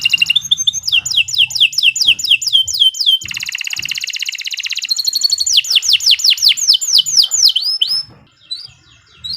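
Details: Canary singing a long, sharp training song: rapid series of descending slurred notes, a dense buzzy trill, then more downslurred phrases, notes repeated about twice a second, ending briefly quieter.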